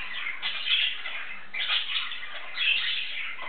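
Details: A male English budgie talks to himself in a continuous scratchy warble, with rougher squawky bursts roughly every second against a steady background hiss.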